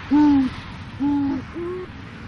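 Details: Black-necked swan (Cygnus melancoryphus) swimming, giving three soft, low, hooting whistles, each about half a second long, the last slightly higher; faint background hiss.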